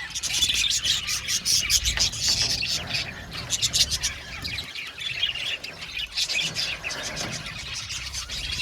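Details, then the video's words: A noisy group of budgerigars chatters, fast high chirps and harsh squawks overlapping in waves, with some low thudding noise. "Budgies parakeets chirping sound | Cute Budgies birds singing sound"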